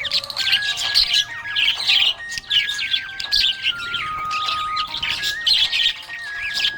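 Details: Contented budgerigar chirps in a nonstop high, scratchy warble, with sustained music notes stepping up and down underneath.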